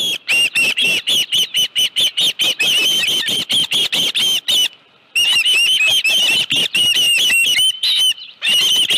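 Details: Osprey at the nest, 25 July 2018 at 5:23 PM, with a live fish present: fast, regularly spaced piercing chirps, roughly three per second, with one short pause halfway.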